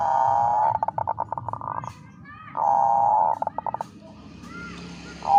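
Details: Perkutut bangkok female zebra dove calling to a male to boost breeding urge: two phrases, each a long steady coo trailing into rapid stuttered beats, separated by a short pause, with a new coo starting at the end.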